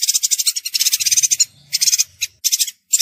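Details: Chestnut-crested yuhina (Staphida everetti), song.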